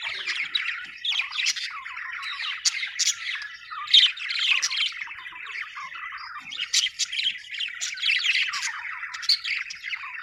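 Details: Happy budgie chirping, an Australian bird: long stretch of rapid scratchy warbling with frequent sharp squawky notes, in bursts and short gaps.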